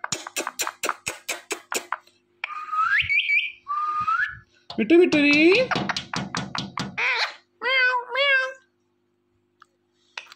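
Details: Quick clicking run, then rising whistles and a harsh, buzzy talking passage from an Indian ringneck parrot, ending in a few wavering nasal syllables before silence.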